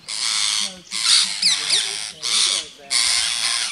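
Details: Rose-ringed parakeets in Gir Forest, Gujarat, India, 3 April 2015, mobbing a rat snake and nipping its tail: four loud, harsh, rasping screeches of about half a second each, separated by short gaps, with people talking quietly underneath.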